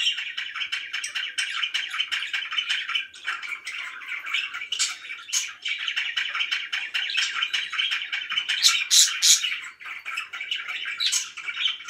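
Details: Pet budgies described as very happy chatter nonstop: a dense, buzzy warbling stream of chirps with a few piercing high squeaks near the end.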